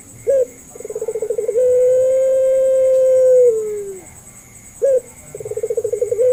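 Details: Puter pelung dove, used as a lure for doves slow to call: a quick upward note, a fast pulsing roll, then a long sustained coo that slides lower at its end, followed by another short rising note and renewed pulsing. A thin steady whine sits in the background.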